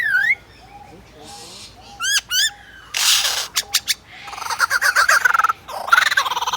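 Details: Captive superb lyrebird at Adelaide Zoo, Australia, imitating a photographer's camera: sharp rising whistled notes, a burst of harsh noisy bands, quick clicks, then a rattling run of mechanical clicks and chattering.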